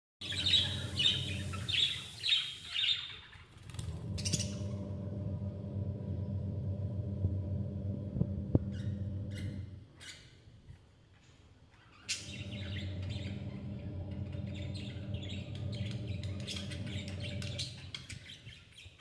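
Newborn budgerigar chicks give thin, raspy cheeping calls over a steady low mechanical hum.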